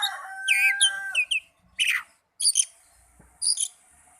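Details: Oriental magpie-robin song meant to trigger singing in caged birds: a harsh sustained nasal note under bright whistled phrases, then loud sweeping chirps and short buzzy bursts separated by brief gaps.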